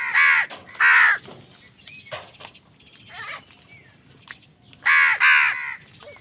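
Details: Angry crows fighting wild birds for food give two loud caws, softer calls in the middle, then a closing pair of harsh overlapping caws.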